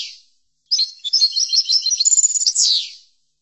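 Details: European goldfinch singing a rapid jingling phrase of about two and a half seconds, tinkling and buzzy notes run together and ending in a falling slurred whistle, recorded to teach goldfinches.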